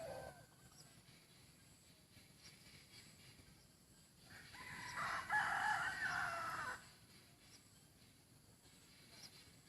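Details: Decoy chicken with a good voice giving one broad, harsh crow of about two seconds in the middle, over a faint steady rural background hiss.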